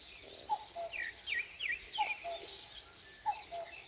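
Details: Common cuckoo in the Korean countryside at dawn, giving three low, falling two-note cu-ckoo calls. Sharper chirps from other songbirds are mixed in over a hissing rural background.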